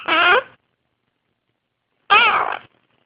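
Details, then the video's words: Young pet blue-crowned conure, a baby bird practicing talking indoors: two harsh, raspy calls with wavering harmonics, each about half a second, separated by a pause of about a second and a half. "the Blue Crowned Conure making crazy noises!"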